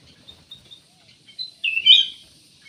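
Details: Ruby-throated bulbul: a few soft high chirps, then one loud, bright warbled phrase of slurred whistles.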